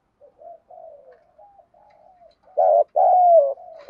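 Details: Decoy female spotted dove calling for males. Quiet, scattered soft coos build up to a loud, clear two-part coo at the end: a short wavering note, then a longer sustained hollow one.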